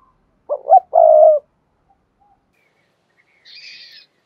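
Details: Energetic cooing of a spotted dove, used to excite decoy birds: a quick wavering double note, then a long low coo. After a pause, a faint, higher chattering from another bird.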